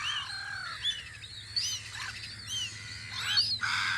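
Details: Gulls at their guarding post on Audru polder in spring, giving overlapping arched, rising-then-falling calls, several at once, with a steady low rumble underneath.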